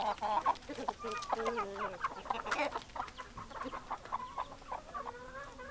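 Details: Hens and roosters cluck in nasal, harmonic-rich calls, some drawn out and wavering, amid a busy overlapping chorus of short clucks.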